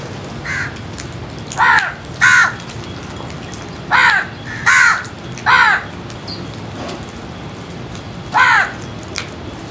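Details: Crows while feeding call in a loose run of about seven raspy, descending caws, some in quick pairs, spread over nearly ten seconds.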